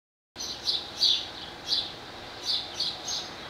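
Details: Barn swallow, a singing male with a nest and mate nearby, at Skala Kallonis on Lesvos, Greece, on 10 May 2014: a series of short high chirping notes, about seven spaced phrases after a brief silence at the start.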